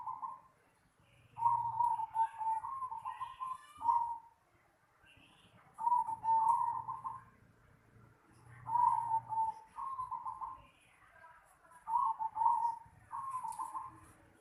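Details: In a home yard, a zebra dove repeats its rolling, staccato coo phrase about every two to three seconds, each phrase a quick series of bubbling notes, with faint high chatter in the background.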